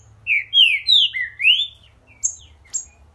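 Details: Green-winged saltator in energetic song, delivering one phrase of four or five clear, slurred whistles, some rising and some falling, followed by two brief, thin, high chips; soft low rumble in the background.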